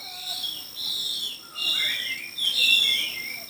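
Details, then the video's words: Chinese hwamei singing in a song contest: clear high whistled phrases, some sliding and some held, come in bursts separated by short pauses, with faint background hiss. "Hoạ mi hót đấu"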